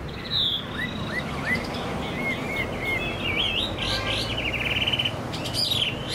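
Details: Caged Chinese hwamei, a kept songbird described as a strong singer and good fighter, delivers loud clear whistled phrases: sliding, looping notes and quick repeated trills in a varied run, over a low steady background hum.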